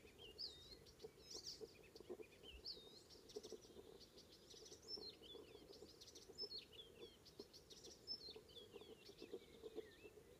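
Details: On a May morning north of Hollum on Ameland, Netherlands, an Icterine warbler sings a varied, rambling medley of high squeaky notes, twittering runs and slurred whistles, with a constant low background rumble.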